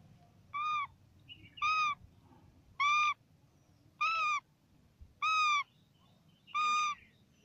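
A parrot gives six short, harsh, nasal calls, evenly spaced about a second apart, each a clipped steady squawk over a quiet background hum.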